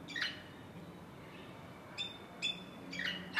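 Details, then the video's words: Caribbean green parrots in Cancun, Yucatán, Mexico: brief, harsh, harmonic squawks at irregular intervals, single notes and quick pairs, over a quiet, low background hum. "Caribbean Green Parrots in Cancun Mexico Yucatán"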